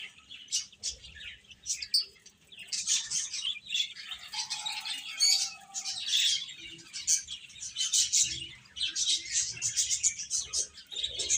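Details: Chickens, chicks, peeping in bursts: clusters of sharp, high chirps separated by short gaps, with a lower drawn-out tone briefly audible around five seconds.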